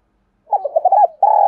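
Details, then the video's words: Caged decoy spotted dove calling to draw wild doves into a fight: several quick stuttering coos, a brief pause, then a long steady coo. A sharp click ends the recording. "Tiếng chim cu gáy thúc đấu vấy bổi - Chim Cu Mồi Gáy Gọi Giọng Hay bổi"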